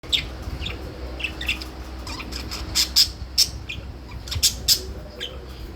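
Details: Pet blue budgerigar (parakeet) gives a string of sharp, high chirps at an uneven pace over a low indoor hum.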